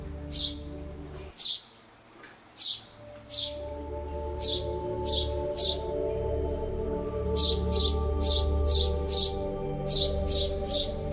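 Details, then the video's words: A sparrow playing gives chirps: short, sharp, bright notes repeated about twice a second in irregular bursts, over a steady humming musical drone. "sparrow bird tweet"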